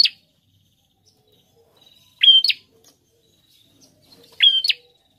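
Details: Prinia in lively full song, giving loud sharp two-part phrases: a steady high whistled note followed by a buzzy upward flick, repeated roughly every two seconds with silence between.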